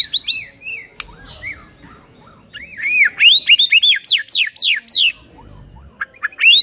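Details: White-rumped shama (murai batu) in a rousing recording for a lazy bird: rapid series of arched, slurred whistles about four per second, framed by shorter varied high notes.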